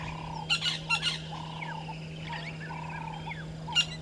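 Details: Violet-backed starling pair at their nesting tree by Gowrie dam, Djuma Game Reserve, Sabi Sand, South Africa, 05:48 on 13 December 2022. Short harsh buzzy bursts come in a quick pair, then one more, over a repeated frog-like chorus and a steady low hum.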